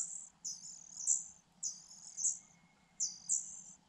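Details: Fujian niltava nestlings, four chicks in a nest hidden in grass, begging while being fed: very high, thin, hissing calls in bursts about every second and a half, with a faint low hum behind.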